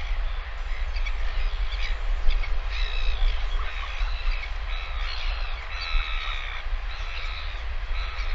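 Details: Northern royal albatross chick being fed lunch by a returning parent on a live nest camera, 20 August 2023; repeated squeaky, harmonic calls throughout, partly masked by strong low wind rumble.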